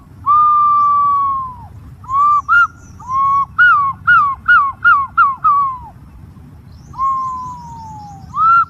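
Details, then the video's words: Green pigeon giving clear, pure whistles: a long level note sliding down, then a run of short rising-and-falling whistles at an uneven pace, and a final long note sinking steadily before a brief high rise. Faint low background rumble. "suab nquab ntsuab quaj zoo tiếng cu xanh keu"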